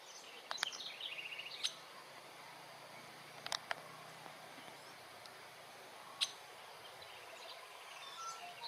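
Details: Female Little Woodpecker, subspecies taenionotus, recorded at Teresina, Maranhão, Brazil, on 7 January 2026: a quick, fairly faint run of thin, high, evenly spaced notes, with scattered sharp clicks and a steady background hiss.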